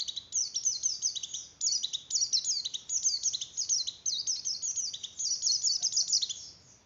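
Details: Song of a Javan grey-throated white-eye, meant to raise breeding condition in other white-eyes: continuous rapid high-pitched warbling made of quick descending chirps, pulsing in short phrases before fading out at the end.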